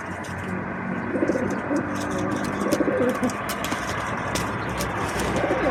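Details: Feral pigeons at a balcony bird table during feeding and fighting, recorded with an Insta360 Go 2 camera; a few short, low throaty coos amid constant hissing background noise and scattered sharp taps.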